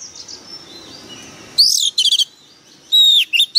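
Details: White-rumped shama decoy bird singing fiercely. After faint background chirps, loud phrases break in: a rising whistle, a rapid buzzy stutter of repeated notes, then a long clear whistle and a sharp upslurred note.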